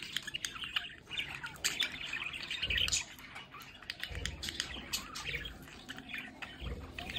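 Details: Several pet budgerigars in a home play area near a window give a busy mix of raspy warbles, clicks and short chirps, with occasional low thumps.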